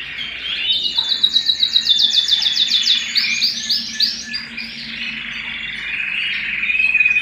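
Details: Canary singing at home: rapid high trills of repeated notes rolling for about two seconds, then sweeping warbled phrases and a thin, buzzy trill at the end, over a faint low hum.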